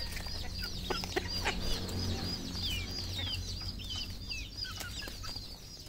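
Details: Red junglefowl kept on a farm in Cambodia, many birds giving rapid, thin, high peeps that slur downward, several per second, over soft low clucking and occasional sharp clicks.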